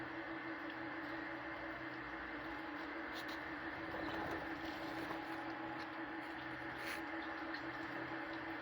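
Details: Steady indoor hum with broadband background noise and faint brief clicks, no animal voice audible.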